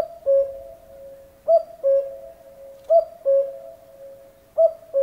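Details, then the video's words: Cuckoo repeating its familiar falling two-note call, cu-ckoo, about every 1.3 seconds, four full calls and the start of another, clear over a quiet background. "Kukułka odgłosy / Kuckucksruf / Odgłos kukułki / Kuckuck sound"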